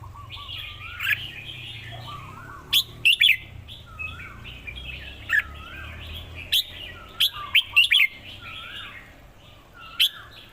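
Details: Red-whiskered bulbul singing: repeated quick phrases of clear, bubbling whistles with sharp rising notes, delivered every one to two seconds over steady low background noise.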